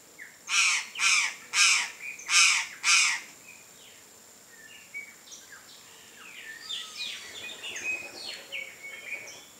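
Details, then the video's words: Free-living chestnut-eared aracari (Pteroglossus castanotis), a Brazilian bird, giving five loud, harsh, rasping notes about half a second apart, followed by a busy background of high chirps and whistles from other birds. "CHESTNUT-EARED ARACARI (PTEROGLOSSUS CASTANOTIS), ARAÇARI-CASTANHO"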